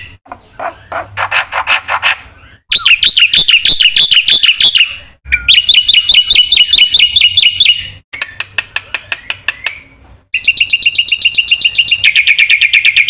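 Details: Black-winged myna in lively full song, used as a lure and tutor for training silent birds: bursts of fast repeated whistled notes and rattling phrases, sharply cut between sections with brief gaps.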